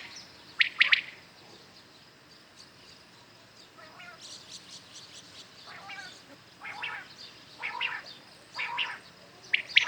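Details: Morning calls of common quails: scattered soft, hoarse notes and faint chirps build toward the end, closing with a clear sharp three-part call, amid quiet background hiss.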